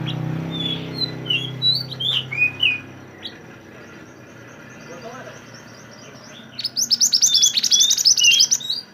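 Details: Singing pied bushchat, recorded as a training tune for songbirds: a series of falling whistled phrases, a quiet pause, then a burst of fast, rattling, buzzy high notes.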